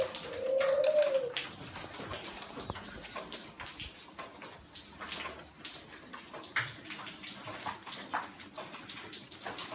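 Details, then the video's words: Spotted dove on a rainy, windy day, giving one low, smooth cooing phrase near the start, then falling silent under steady patter of rain and gusty wind noise with a few faint clicks. "Ngắm Chim Cu Gáy Ngày Mưa Gió"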